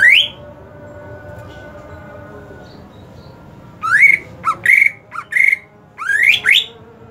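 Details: Greater green leafbird in hot-season care: a lone rising whistle opens, then after a long hush a burst of harsh clipped whistles and short dipping notes, closing with rising sweeps.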